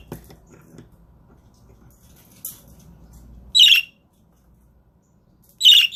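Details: Budgerigar father guarding the eggs: two loud raspy squawks near the end after soft rustling and faint chatter, roughly two seconds apart.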